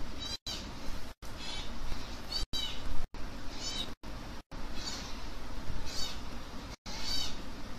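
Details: Baby African grey parrots being hand-fed give repeated raspy, wavering begging calls about once a second. A steady low rumble sits underneath, and the sound breaks off abruptly several times.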